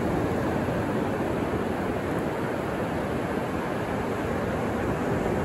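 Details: Steady roar of ocean surf at Black's Beach, a dense unbroken wash of waves with no gull or other animal calls.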